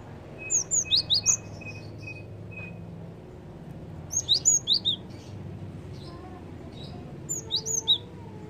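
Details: Java sparrow lure calls used to attract birds: three bursts of four to six sharp, high, slurred chirps, spaced a few seconds apart, with a faint steady thin whistle tone and low background hum between bursts.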